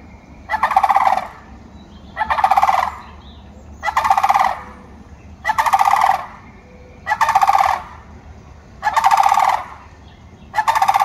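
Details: Sandhill crane in Land O'Lakes, Florida, giving loud, rolling, rattled trumpeting calls, each under a second long, repeated about every two seconds over a low steady background hum.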